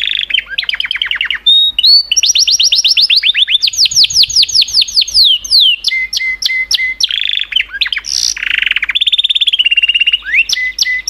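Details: Continuous canary song: rapid trills, a run of descending sweeping notes, and clipped high chips alternating with flat whistled tones.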